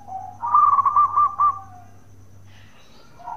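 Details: Local zebra dove giving its bekur call, used to make other doves answer: one loud burst of rapid stuttering coos near one pitch, about a second long, then quiet. A fainter coo follows near the end.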